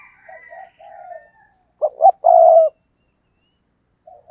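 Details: Spotted dove kept as a decoy bird, giving soft low coos, then a loud phrase of two short clipped notes followed by one long, even coo, with a faint coo at the end.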